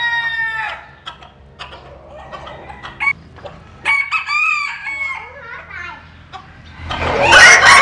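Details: Japanese and Cuban bantam chickens sunbathing: a mid-clip rooster crow with stepped, wavering harmonic notes among scattered clucks and knocks, ending in a burst of broadband noise.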